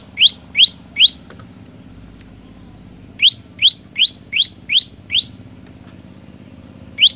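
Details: Olive-backed tailorbird singing actively: sharp, rising, upswept chirps repeated in quick series, three notes, a pause, six more about every third of a second, then a single note, over a steady low hum.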